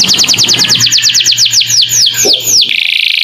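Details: Canary master song with lovebird-style fill-in phrases, meant for tutoring young birds: a fast series of sharp descending whistled notes that slow and lengthen, then switch to a dense buzzy rattle, over a faint low hum.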